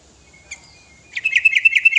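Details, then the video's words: A five-year-old sooty-headed bulbul sings its full repertoire to attract other birds; one thin note, a pause, then a fast, steady trill of bright chirps. "Kutilang gacor full materi"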